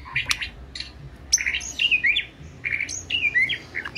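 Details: White-rumped shama song: short varied whistled and chirping phrases, some sliding notes, over a steady low background hum with gaps between bursts.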